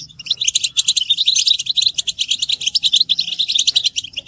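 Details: European goldfinch chorus meant to rouse silent males; pulsing, rapid high twitter with bright chirps and buzzy trills repeating about four times a second, overlapping birds.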